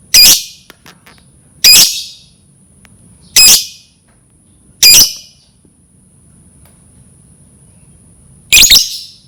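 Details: Lovebird sound played to lure lovebirds into learning to sing: five loud, shrill, rasping chirps, roughly one every two seconds with a longer gap before the last, over a steady faint high whine and low hum.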